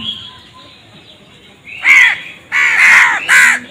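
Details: A crow gives three loud, hoarse caws after a quiet start, the last two close together. The background is faint and still.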